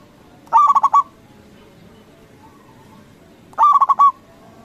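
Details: Zebra dove, a local bird meant to trigger answering calls from other doves: two quick phrases of stuttered, bubbling cooing, each about half a second long, separated by a three-second pause with faint hiss.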